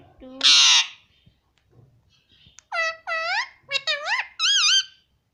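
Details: Pet Indian ringneck parakeet mimicking human speech indoors: a loud harsh squawk, then a run of short harmonic whistled syllables rising and wavering, speech-like phrases near the end.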